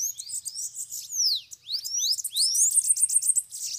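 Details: Several free bananaquits call at a cage during a trapping session. A dense, loud, high chorus mixes rising and falling slurred whistles with fast twittering trills from overlapping birds.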